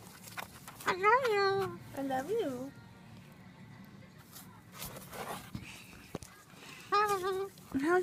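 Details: Pet Moluccan cockatoo indoors, talking in a box: several warbling, harmonic-rich vocal phrases with wavering pitch, like squeaky speech such as "hello", separated by short pauses, with faint background music and rustling.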